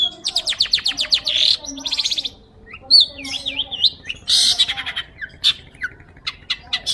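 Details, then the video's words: Long-tailed shrike in full, lively song, used as training audio for magpie-robins: a fast run of buzzy high notes, then a looping whistled warble, harsh bursts and scattered sharp chips. "PENTET GACOR,,SUARA JERNIH"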